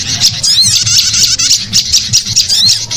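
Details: Prinia calls used as a lure sound for releasing birds: dense, nonstop high chattering with rapid buzzy and whistled notes and quick up-and-down slurs, overlapping calls crowding together.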